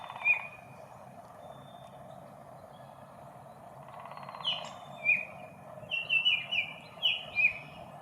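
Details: Baltimore Oriole singing at a local park on a spring morning. Clear, fluty whistled notes come in a loose run over the last half, after one early note, all over a steady low background hum.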